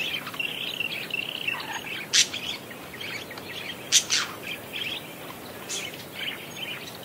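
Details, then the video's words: Parakeet twittering steadily at moderate volume, a soft high chatter punctuated by three louder sharp chirps spaced about two seconds apart. "Suara Kicau Burung PARKIT GACOR"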